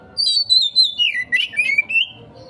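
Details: Oriental magpie-robin (kacer) song in the 'konslet' style, used as a lure to get a quick response from other birds; clear whistled phrases slide down from high to mid pitch, then rise again in quick bursts, over a faint low hum.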